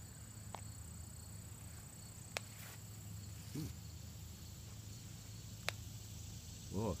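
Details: An owl on the ground with a heavy rabbit kill it cannot fly off with guards its prey, snapping its bill in a few sharp, dry clicks as an aggressive threat at an approaching person.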